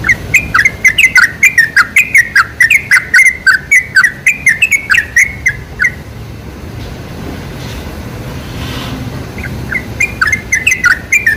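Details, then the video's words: Sooty-headed bulbul song used as a lure to draw bulbuls into singing: a fast, busy burst of chirping notes for about six seconds, then a quiet gap, then the chattering resumes. "PANCINGAN SUARA TRUCUK TERBAIK"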